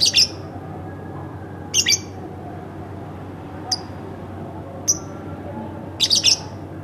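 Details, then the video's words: Caged lovebird at home producing bursts of harsh double squawks interspersed with single thin chirps, separated by pauses of one to two seconds. "masteran bukan tapi burung lovebird rumahan"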